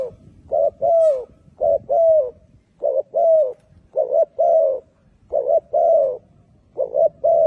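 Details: Spotted doves in Malaysia coo steadily: soft, low hooting notes in short double and single bursts, repeating about once a second, with little else audible.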